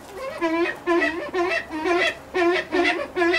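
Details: Brown eared pheasant (Crossoptilon mantchuricum) at a pheasant breeding farm giving harsh, nasal, rasping notes, about two each second in a steady series, mid-pitched and rich in overtones.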